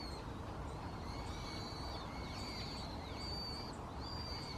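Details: Possible brown-headed thrush recorded 2 January 2015 on a Canon PowerShot SX60 HS, perhaps declaring territory; thin, high whistled notes, some slurred or arched, repeated several times over a steady low rumble of background noise.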